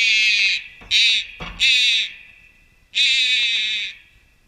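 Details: A Malayan night heron fledgling at a wild bird rescue centre, begging constantly, gives harsh, buzzy, rasping begging calls in four bursts, some short and some drawn out for about a second, with quiet gaps between.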